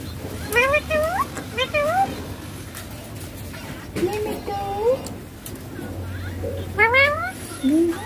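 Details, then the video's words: Ringneck parrot talking during play with a mobile phone. Several bursts of bent, harmonic, speech-like syllables come in pairs, then a late low upswept note, against a constant low hum. "Ringneck Green Parrot talking"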